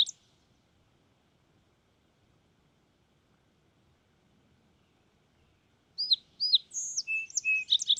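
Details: Fox sparrow: after a brief high note, about six seconds of near silence, then a loud song begins with paired sliding whistles, a drawn high note, level lower whistles and a rapid burst of bright notes at the end.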